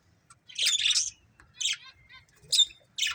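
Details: Budgerigars, a breeding pair, calling with four loud rasping squawks, the first long and broad, the others shorter, separated by near-silent pauses.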